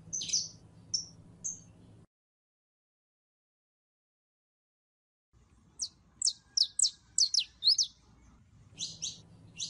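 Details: Female canary in heat calling a male to mate: a few high chirps, a silent gap, then a rapid run of sharp descending chirps and further notes over a low hum.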